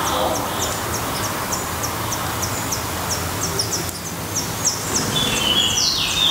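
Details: Thin, high chips fall in pitch and repeat steadily at a Black redstart nest in Portugal, roughly three per second, before a brighter whistled phrase near the close, over a rushing background.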